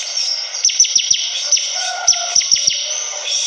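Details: Sharp high notes sweeping downward in quick pairs and triplets from a Bar-winged prinia in lively song, with a soft lower whistle in between.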